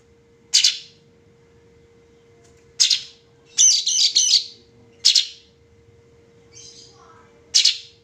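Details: Harsh, scratchy single bursts from a sooty-headed bulbul (cucak cungkok), with a rapid stuttering chatter of several notes near the middle and a softer brief note later; steady low hum in the background.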